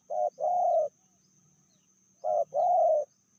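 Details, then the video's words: Spotted dove in Indonesia with a medium voice, from a pair whose female is fiercer than the male. Two identical phrases, each a clipped note and a sustained purring coo, separated by over a second of silence. "Betinanya lebih ganas dari jantannya/bl suara sedang"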